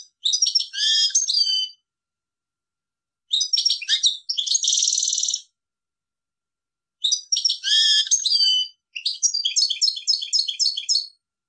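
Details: Goldfinch song in three separated phrases, each a fast jumble of high twittering notes ending in a buzzy or rapidly repeated trill, with pauses of about two seconds between phrases.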